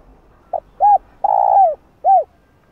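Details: Spotted dove calling in a sequence used to excite wild doves: a short clipped note, a soft hooded coo, a long purring coo that drops in pitch, then a closing rounded coo.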